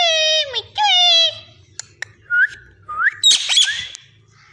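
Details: A talking parrot produces two drawn-out, speech-like syllables with falling pitch, then brief clicks, two short rising whistles and a harsh squawk near the end, in a quiet room.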